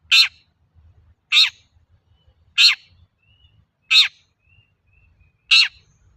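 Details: Calling long-tailed shrike, used as a lure for other shrikes: five grating, harsh notes at steady intervals of about 1.3 seconds, with a few faint thin whistles between them.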